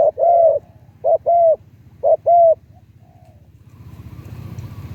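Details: Decoy spotted dove of medium-to-deep voice giving three paired coo phrases, each a short note then a longer hollow coo, after which a passing vehicle's rumble rises.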